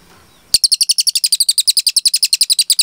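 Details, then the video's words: Cililin singing a long, clear 'tembakan' burst used as training material for cage birds: after half a second of quiet, a rapid run of high, sharp double-noted chips repeated about eight times a second, steady to the end. "MASTERAN CILILIN GACOR JERNIH TEMBAKAN PANJANG"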